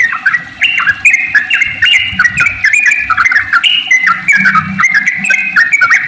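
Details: Sooty-headed bulbul in full 'ropel panjang' long-trill song, used to prompt other bulbuls to sing: a dense, unbroken chatter of bright whistled notes leaping between pitches, with a soft low hum underneath.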